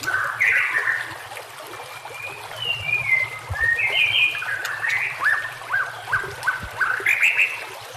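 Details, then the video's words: White-rumped shama song meant for training caged shamas, set against gurgling water: rich fluting phrases and gliding whistles, then a quick run of short downslurred notes before rising whistled flourishes. "masteran murai batu"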